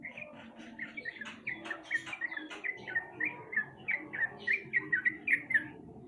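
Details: Lure recording of sooty-headed bulbul for prompting a silent bird to sing: scratchy clicking notes at first, then a rapid series of bright, slurred chirps, roughly four per second, growing louder toward the end.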